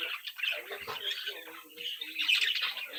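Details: Captive brood of young budgerigars chirping, singing and mimicking while playing together; soft overlapping warbled chirps and twittering notes, briefly quieter midway, then a louder burst of chatter near the end.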